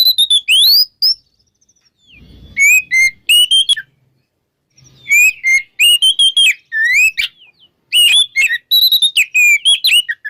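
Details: Morning 'ngeplong' song of an oriental magpie-robin, played to prompt silent magpie-robins to sing: bright whistled phrases with looping upslurs and downslurs in bursts separated by pauses of about a second, with a brief low thump between phrases.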